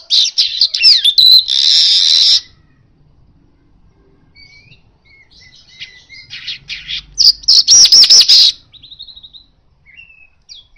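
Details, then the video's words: Asian golden weaver song: two loud bursts of sizzling, wheezy chatter, with softer scattered chips and thin whistles in between. "Manyar emas Gacor door suara alami"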